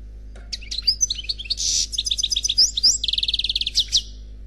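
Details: A single European goldfinch singing khalwi-style: a dense flow of high tinkling chirps, brief buzzes and quick repeated trill notes, continuous over a faint constant hum.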